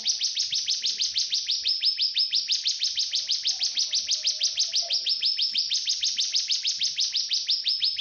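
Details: Cigun singing as a training master for magpie-robins and shamas: an unbroken, rapid, high trill of evenly spaced ticking notes, steady in pitch and loudness throughout, with only a faint low note in the background.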